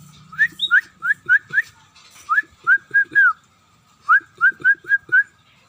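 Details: Scaly-breasted munia (emprit peking) starting to sing actively: short rising whistled notes in quick runs of four or five, pauses between runs, faint low hum at the start.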